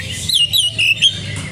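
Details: Oriental magpie-robin in lively, vigorous song: a brief burst of loud, clear whistled notes that slide and warble, with a low steady hum underneath.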